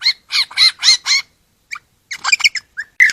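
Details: Australian lyrebird starting with five loud, harsh squawks in quick succession. A pause follows, then scattered short chirps and a few sharper squawked notes.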